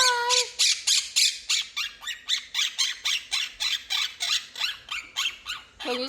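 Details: A talking quaker parrot kept at home starts with a short whistled note, then gives a steady string of about seventeen buzzy, scratchy chatter notes, nearly three per second.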